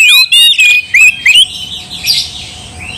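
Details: Oriental magpie-robin song meant to provoke a rival: five quick loud whistled phrases, each rising or sliding, in the first second and a half, then a quieter scratchy trailing note.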